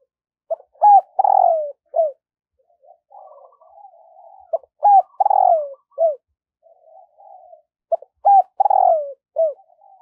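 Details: Morning decoy cooing of a spotted dove to call wild doves. Three regular phrases of clipped coos, each with a longer, hoarse, falling coo, separated by soft, buzzy murmuring notes.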